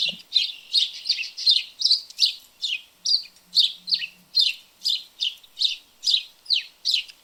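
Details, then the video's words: House sparrows in a backyard garden give a steady series of bright, chirpy cheeps, about two or three per second; juveniles chirp repeatedly when hungry, waiting for parents to feed them. "What Does a Sparrow Sound Like? - House Sparrow Sounds and Calls"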